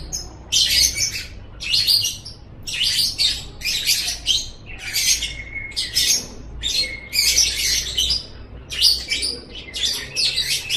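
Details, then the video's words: Lovebird chatter played to make lovebirds chatter: regular bursts of harsh, high squeaky twittering about once a second, each clipped and scratchy, faint hum below. "suara ini DIJAMIN 100% bisa bikin LOVEBIRD ANDA NGEKEK NGEKEK"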